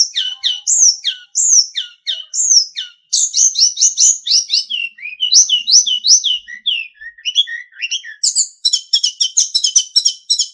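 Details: Hill blue flycatcher song from a master for training caged songbirds. High slurred whistles are repeated, then it builds into a dense, rapid warble and fast chirping series at the end.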